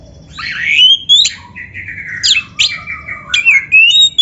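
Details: Oriental magpie-robin training song: continuous varied whistling with rising slurs, sharp clicks and chirps, and buzzy notes, in a quiet setting.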